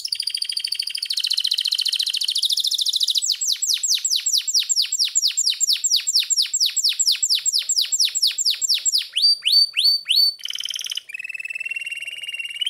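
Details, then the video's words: Hand-tame trained pet canary singing while perched in its owner's hand: a long, varied song with a buzzy trill, rapid repeated falling whistles, sharper chips and a rolling high trill. "Best Singing Canary | Canary Bird Singing | Best Canary Voice | Kanari Sounds | Canary Birds Sounds"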